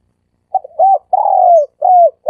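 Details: Three-coo style dove call used as a lure for trapping doves: a quick cluster of soft hooting coos, a long gently falling note in the middle, then another arched coo, clean with no other sounds.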